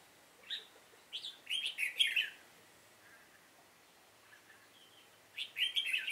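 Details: Red-whiskered bulbul used in trapping, recorded 7 September 2018, giving a fighting song: bursts of bright chirped, warbling notes in quick clusters, with a quiet pause midway before a fresh burst at the end.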